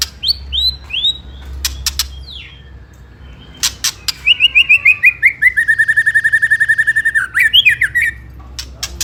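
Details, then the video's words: White-rumped shama ketrekan lure song aimed at rival birds: paired falling whistles, scattered sharp clicks, then a fast run of repeated chirped notes sliding slowly downward, ending in twisting whistles over a faint low hum. "Pancingan Murai Paling Ampuh !! ketrekan kramat"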